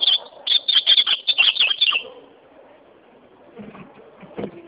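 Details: Ultramarine grosbeak delivering a rapid run of about a dozen clear, slurred whistled notes over two seconds, then quiet with a few soft knocks and rustles.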